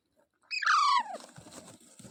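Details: Rose-ringed parakeet kept as a pet in India: one loud, harsh screech sliding downward in pitch, followed by low rustling and room noise.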